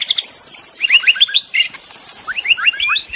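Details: A wild magpie-robin in forest sings quick, varied whistled phrases, sweeping notes rising and falling in short bursts with brief pauses between them.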